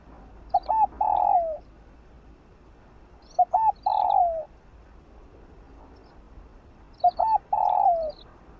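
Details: Three matching phrases from a spotted dove, one about every three and a half seconds, in a morning recording used to attract wild doves. Each phrase has two clipped notes and a long downward-sliding coo, with faint chirping between.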